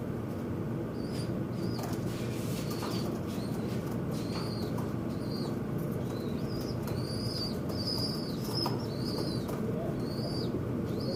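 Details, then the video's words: Quarrelling birds at a window: sparse high chirps at first, then a dense burst of arched, repeated notes in the second half, with occasional clicks over a low rumble. "The birds in the window are fighting"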